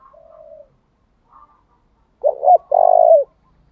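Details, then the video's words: Spotted dove decoy giving an urging call to make wild doves coo back. Faint distant coos come first, then a single loud phrase of two short notes and a sustained low coo. "Tiếng chim cu gáy thúc bảo đảm bổi nghe gáy liền, chim cu gáy mồi đảo bài liên tục"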